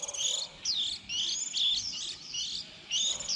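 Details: Young white-eyes early in the 2020 season, when birds begin leaving the nest in April, kept as trapping lure: shrill, slurred chirps rising and falling, in three quick bursts with short breaks.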